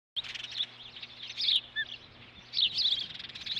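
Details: Osprey at a nest at Dunrovin, 9 June 2013, displaying dominance over another young bird while the mother brings a stick: high, thin chirps in quick clusters with short pauses between bursts.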